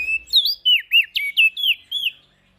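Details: Ashy prinia calling vigorously, used as a lure for small birds: seven or eight loud, clean whistled notes, each swooping down then up, fired in quick succession over two seconds before fading to silence.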